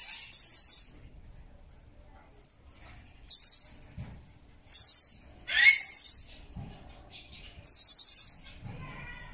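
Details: Blue-crowned hanging parrot recorded as a training model for other songbirds. Very high, shrill, sizzling chirp bursts of about half a second come in irregular groups. One call has a sharp upward sweep. Background is quiet with faint low rumble.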